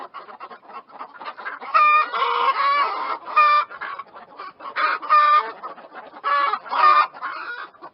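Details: Chickens give quiet clucks that swell into louder harmonic squawks at irregular intervals, several birds overlapping.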